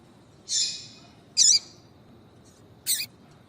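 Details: High calls of a female double-collared seedeater, played to warm up a male of the tui-tui style: a drawn-out buzzy note, then a sharp chip and a final short note.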